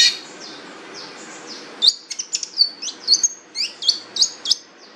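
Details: Long-tailed shrike starting with faint soft notes, then a string of sharp, high chirps and short whistles delivered in quick irregular succession.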